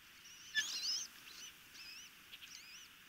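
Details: Osprey chicks being fed at a nest by the Chesapeake Bay, Maryland: thin, high whistled calls that waver up and down, given in several short bursts with brief gaps, over a soft hiss.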